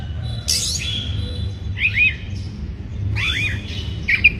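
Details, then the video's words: Oriental magpie-robin in breeding condition, used as a lure song to provoke other birds: two short, separated phrases of sliding whistled notes with a sharp upper flourish, over a steady low background hum. "Pancingan Suara Kacer Bikin Emosi, Suara kacer Naik Birahi"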